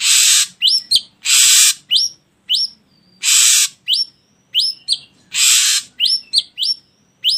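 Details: Ashy drongo song, used as a lure to prompt other birds into singing: loud harsh hissing bursts alternate with short, sharply rising whistled notes and quick chips, repeating in an uneven rhythm.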